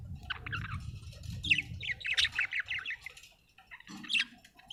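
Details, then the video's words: Budgerigar chirping: a run of quick squawky chattering notes in the middle, then quieter scattered chirps, over low background rumble. "budgie chirping sound"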